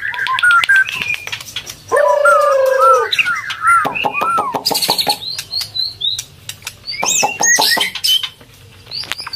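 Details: White-rumped shama, a female in breeding condition used to stimulate males, while feeding its chick; varied whistles and sweeping notes with a steady low tone and clicks, plus high chirps.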